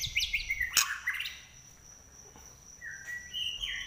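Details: White-rumped shama, trek-style song with a shrill voice: a quick burst of high chirping notes at the start, a quiet stretch, then a few thin sustained whistles near the end over light background hiss.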